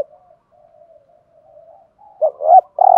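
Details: Spotted dove of the thổ voice type, a decoy bird cooing and calling: soft low hooting notes drawn out at first, then louder, throatier coos near the end, in quiet surroundings.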